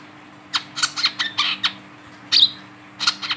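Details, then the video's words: Hand-held wiceh calling busily, its sound meant to lure other wild wiceh: quick series of brief scratchy high chirps, a pause, then a louder sharp squeak and a final cluster of chirps, steady low hum behind. "WICEH GACOR DI PEGANG BUNYI, SUARANYA BISA UNTUK PANCINGAN WICEH BAHAN"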